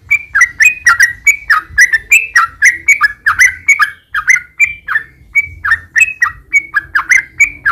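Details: Lure song of a yellow-vented bulbul, meant to set caged birds singing: a steady flow of short liquid, gurgling whistles, each dipping and rising, delivered in a rapid, slightly uneven rhythm without pause.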